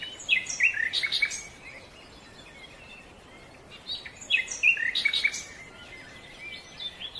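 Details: Silver-breasted broadbill (Serilophus lunatus), an Asian forest bird that usually keeps to groups of its own kind in the middle layers of foothill and montane forest, gives two bursts of high, squeaky chattering notes about four seconds apart over soft hiss.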